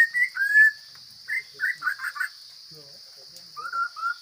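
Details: Forest hwamei giving broken bursts of song: whistled slurs, a few quick warbled notes, a gap with faint low sounds, then two level whistles. A thin steady high tone runs underneath.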